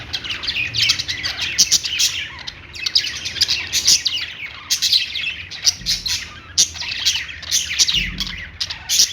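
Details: Budgerigars, an Australian parrot, chirping happily: dense, continuous chatter of scratchy, buzzy chirps and warbles, rising and falling, from several birds at once, with no other sounds.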